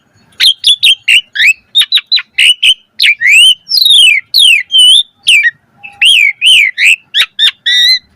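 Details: Asian pied starling song rich in 'mompa' variations, used to lure starlings: a fast string of sharp chips and flicking notes leading into sweeping descending whistles, then more clipped chattering phrases.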